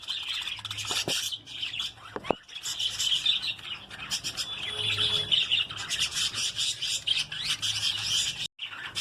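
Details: Colony-bred lovebirds: a dense, continuous chatter of shrill, high squeaky chirps and screeches from many birds at once, with occasional clicks and rustling.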